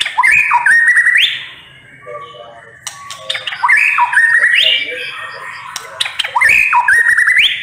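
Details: White-rumped shama (murai batu) in 'nembak pedes' song: a loud stepped phrase of rising whistled notes ending in a harsh upsweep, repeated about every two and a half seconds, with softer chattering between and a faint low hum beneath.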